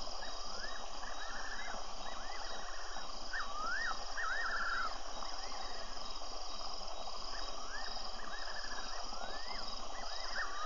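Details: Suspected fiery-necked nightjar from a wildlife webcam at Tembe, 24 February: a long series of quavering, looping whistled phrases repeated every second or so, some trilled, over steady electronic hiss and low noise.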